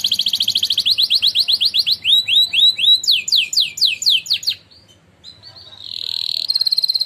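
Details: Canary that won a singing contest, singing a training song: rhythmic series of rising and falling slurred notes in changing tempos, a brief silence, then a steady high whistled tone and a fast trill.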